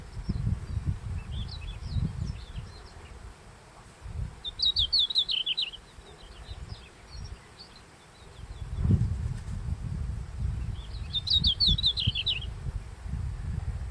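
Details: Red-flanked bluetail in the Daisetsuzan mountains, early July, the first bird to sing at sunrise; two clear high twittering phrases about six seconds apart, with fainter notes at the start, over steady low wind rumble.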